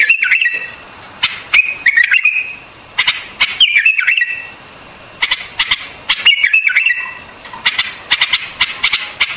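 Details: White-eared bulbul delivering repeated short slurred whistles, each set off by crisp clicking notes, in bursts separated by brief pauses.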